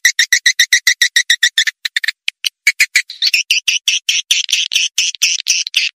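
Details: Lure sound for drawing swiftlets to swiftlet houses, even in wild forest areas: fast rhythmic series of short harsh chirps, roughly four to six per second, with a brief pause midway before the chattering resumes.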